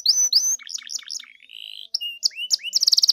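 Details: Canary song used to provoke a caged canary into singing: varied high phrases of upslurred whistles, a buzzy mid-section, then a fast rapid trill of repeated notes near the end.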